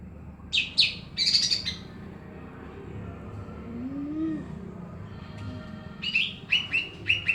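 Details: Greater green leafbird singing steadily amid noise: bright, high, rapid chirping bursts at the start, a pause filled with background noise and a low sliding sound, then a quick series of sharp, high chirps.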